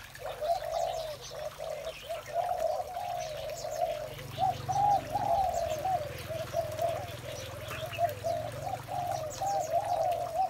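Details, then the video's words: Spotted doves in the morning, several birds cooing together in a dense, overlapping chorus of low, hollow, rolling coos that continues without pause, with faint higher chirps from other birds above. "Một buổi sáng tràn ngập niềm vui từ tiếng chim cu gáy"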